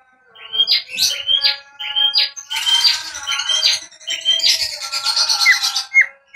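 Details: Bimoli song used as a lure for training birds: a fast run of bright, upward-flicking chirps repeated several times per second, dense and busy, ending in a few separate high downslurred notes.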